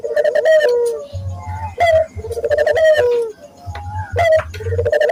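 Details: Barbary dove coos meant to train local doves to sing: rolling coos with a falling tail, repeated about every two seconds, over a low buzzing hum and occasional crisp higher notes.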